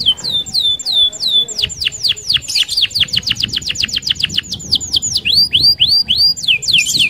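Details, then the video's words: Domestic canary in energetic rolling song meant as a lure for other canaries: quick series of high curved whistles, about three to four per second, shifting between phrase types, some doubled with higher echoing notes. "SUARA KENARI Gacor Roll Sped Mantap - Cocok Buat Pancingan Kenari Anda."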